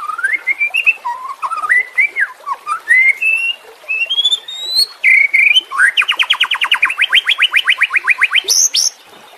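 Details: Caged-bird training song of a White-rumped shama: a climbing series of fluty whistled phrases rising step by step, followed by a fast even trill of about twenty repeated notes ending in a high squeak.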